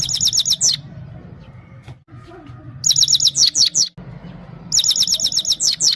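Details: Singing Himalayan goldfinch from Parachinar, performing for a female: three bursts of rapid, high, buzzy twittering trills, each about a second long, separated by short quiet gaps with low hum.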